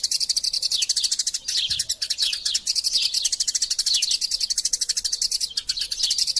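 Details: Eurasian tree sparrows quarrelling, recorded as a tutor sound for songbirds: a continuous stream of sharp, high chirps packed closely together, with short downward slurred notes scattered through the run.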